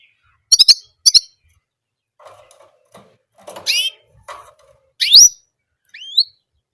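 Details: Orange German canary repeating one song sound: two quick trilled bursts open the clip, then scattered softer chirps, a few sharp upward-sweeping whistled notes and faint low rustling.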